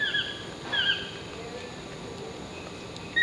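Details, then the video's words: Chestnut-mandibled Toucan perched in a tree at La Baula Lodge, Tortuguero, Costa Rica, on April 15, 2014, calling with short, loud, downslurred yelping notes, two in quick succession and a third starting at the end, over a quiet background. "Chestnut-Mandibled Toucan calling"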